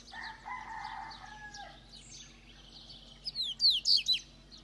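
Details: Double-collared seedeater in Itaguaçu, Espírito Santo, Brazil: a distant rooster crows first, then a short, loud phrase of high, quick, downslurred notes follows.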